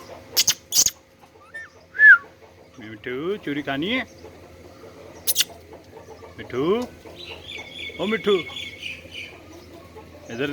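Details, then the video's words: Talking parrot producing short, speech-like phrases in a warbling, harmonic voice, mixed with a sustained wavering whistle, a brief rising squeak and several sharp clicks or taps between the utterances. "parrot Talking بولنے والا طوطا Talking parrot"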